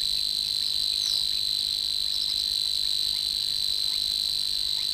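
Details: Reed-bed field recording from Matsalu, issued 1979 in the USSR, of a Savi's Warbler: a continuous monotonous insect-like trill on one high pitch, without pauses, with a couple of brief faint chirps from other birds in the background.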